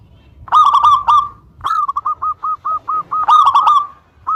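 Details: Singing local Zebra Dove used as a lure to bring rival birds to answer: a loud cluster of coos, then a steady series of about ten short separate notes, ending with another loud burst.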